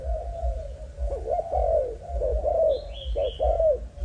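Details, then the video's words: Young Malaysian-strain spotted dove kept as breeding stock, giving a low, mellow cooing phrase of soft repeated hoots, some notes rising then falling, with brief high chirps from another bird in the background and faint low hum. "Cu gáy Malaysia/chim tơ giống"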